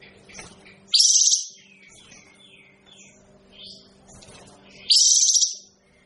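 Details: Kapas tembak bird, said to sound unpleasant, makes two loud buzzy, hissing bursts about four seconds apart, with faint twitters and a low background hum between them.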